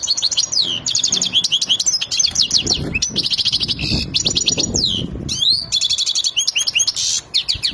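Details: Excited European goldfinch ready to mate, singing intensely: fast rattling trills and buzzy twittering phrases in rapid succession, with high sweeping notes and brief pauses, loud throughout over faint low background noise.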